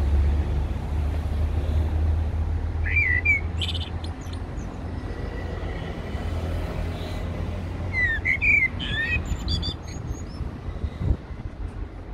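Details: At Heidelberg Castle, a Eurasian blackbird gives two mellow warbled phrases several seconds apart, each ending in squeaky high chatter, with a constant low hum of vehicles underneath.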